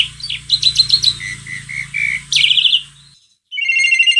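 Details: Asian pied starling in song, used to coax another bird into singing: a varied series of whistled and chattering notes, some rising, ending with a harsh buzzy burst and a repeated trill, over a low background hum.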